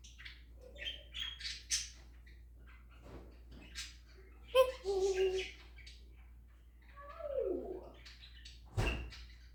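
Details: Captive African grey parrot running through mimicked sounds including snoring, dog, cat and rooster noises; soft scattered clicks and squeaks, a brief harmonic honk midway, then a descending swooping whistle and a sharp click near the end.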